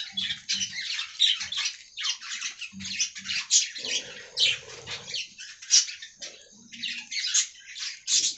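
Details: Aviary colony of budgerigars giving a busy, scratchy warbling chatter, with bursts of high chirps and squawks packed closely together and short pauses, plus soft low rustling and flapping noises underneath.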